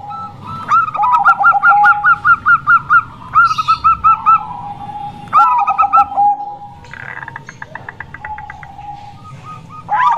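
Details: Cooing song of a local female zebra dove, meant to lure reluctant or wild males: bursts of fast, bouncy, hook-shaped notes separated by short gaps, fading into softer chatter near the end.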